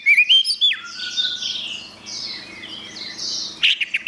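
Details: Orange-headed thrush song for training songbirds: an opening burst of bright whistles gliding downward, then softer, repeated high slurred notes, and a sharp twittering flourish at the end.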